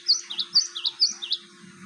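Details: Java sparrow phrase used as a lure for training: quick alternating high and slightly lower bell-like chirps, about eight notes in under one and a half seconds, over a faint steady low hum.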